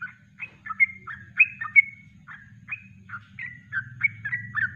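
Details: Master recording of a Yellow-vented bulbul's natural kongslet song: spaced, bright chirping notes with short downward slurs, coming in uneven bursts, over a faint low hum.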